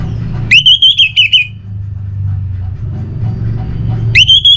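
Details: Orange-headed thrush, played to spur birds reluctant to sing: a quick series of loud, pure whistled notes pulsing in a row, then a pause with a steady low rumble before the whistles start again.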